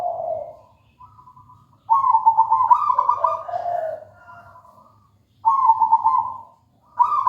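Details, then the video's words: Singing zebra dove of local wild origin, with soft purring coos and then loud trilled phrases that recur after brief silences, each ending on a lower note. "Suara merdu perkutut lokal alam gacor"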